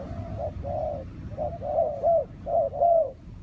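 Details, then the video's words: Mellow, overlapping dove coos in short-long pairs, with the notes blurring together against a low background rumble. A spotted dove is calling. "The Sound Of Spotted Dove"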